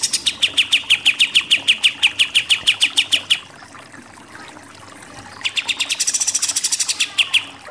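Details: Pied triller song, nembak-nembak style: a long steady volley of crisp chipping notes, a pause of about two seconds, then a second burst that rises into a high rattling trill.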